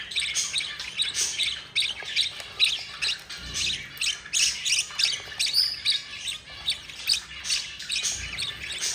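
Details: Yellow female budgerigar feeding her four chicks, which keep up rhythmic, grating begging rasps, several each second, pulsing on and off through the whole stretch, with a soft low thump in the middle.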